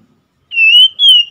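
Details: Oriental magpie-robin singing two long, pure whistles, the first steady and gently rising, the second a touch higher and slowly falling, after half a second of silence.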